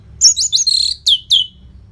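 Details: Brief loud Orange-headed thrush phrase, a prompting song for caged birds: a run of high buzzy whistles followed by two clear downward-slurred notes.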